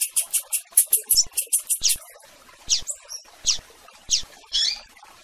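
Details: Rusty-collared seedeater chirping to call a female: a fast run of about twelve very high, sharp chips in the first two seconds, then five or six slower, downward-sweeping whistled notes with soft clicks between them.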